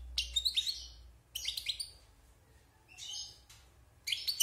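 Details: Wild-caught European goldfinch, caged six months after moulting, delivering bright, high twittered phrases separated by short pauses, four bursts in all, over a quiet room hum.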